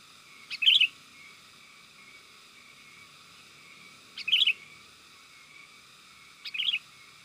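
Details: Sooty-headed bulbul calling to lure wild birds, three short bubbly phrases, each opening with a crisp note, spaced irregularly about two to three and a half seconds apart over faint hum.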